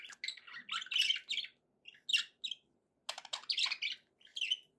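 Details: Domestic budgerigars warble in short phrases of squeaky, scratchy chirps and rising whistled notes, with a pause near the middle before another loud burst.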